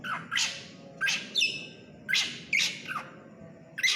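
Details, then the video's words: Black drongo of the krantil type singing actively. Harsh, squawky notes sweep down from high to mid pitch in bursts about every half second, over a steady low hum. "srigunting krantil gacor"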